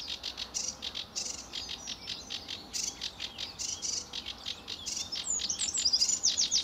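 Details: Sedge warbler singing at RSPB Fowlmere in July 2013, early morning under blue sky and sun: a lively, rapid jumble of high chattering notes and quick rattling trills, ending with a run of clear sliding whistles.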